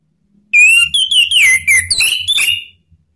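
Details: Male orange-headed thrush song, used as a lure to prompt other birds to sing and as therapy for birds that have stopped singing: a loud whistled phrase of clear, slightly wavering notes, sung continuously for about two seconds.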